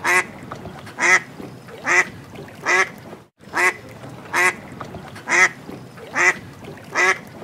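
A duck quacks loudly and steadily, about one nasal quack every second.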